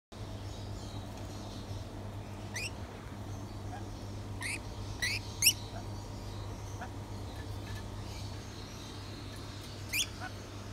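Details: A hand-reared baby pied lorikeet gives a handful of brief, harsh, upward-sweeping screeches spaced a few seconds apart, over a steady low mechanical hum.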